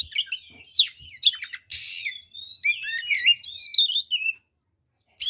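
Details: Oriental magpie-robin in full fighting song, meant to provoke rival birds: quick whistled slides and chirps, a loud scratchy burst, then a flowing run of sweet twittering whistles before falling silent.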